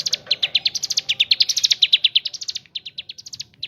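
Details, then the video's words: Mountain leaf warbler in ngebren song: dense chattering high chirps in ascending phrases, a short break near the end before the notes resume. "ciblek gunung / cigun gacor ngebren isian kapas tembak bird sing"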